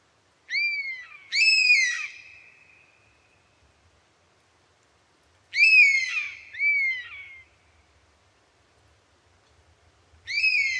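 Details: European honey buzzard giving clear, mournful whistled calls in paired downslurred notes with ringing overtones. The pairs repeat roughly every four to five seconds in a quiet setting with no other voices.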